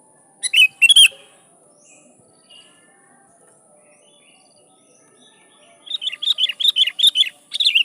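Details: Sooty-headed bulbul in full song, used to lure and challenge wild rivals; two bubbly phrases early, a long quiet gap, then a rapid chattering series of short bright notes near the end.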